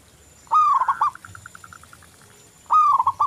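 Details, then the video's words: Local-type zebra dove in full song: a loud rolling coo with stuttering notes, a run of soft evenly spaced cooing pips, then the loud phrase again. "Perkutut lokal Gacor Anti Galau"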